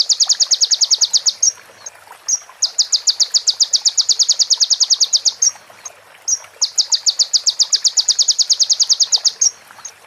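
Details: Sunbird training recording for other birds, with fill phrases of female prenjak and ciblek. Long, loud, very high trills of evenly pulsed notes run two to three seconds each. Short gaps with faint chips separate them.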